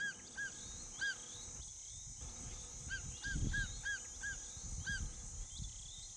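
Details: Female martial eagle calling from her nest in the scorching Kalahari during mating season, a pair mated for life, calling as the prelude to mating: short ringing upslurred notes, often paired, over a steady high hiss and low rumble.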